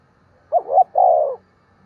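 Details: Single phrase from a decoy spotted dove calling in the morning to attract wild birds: a quick hiccuping double coo followed by a longer, steady rolled coo, over faint background hum.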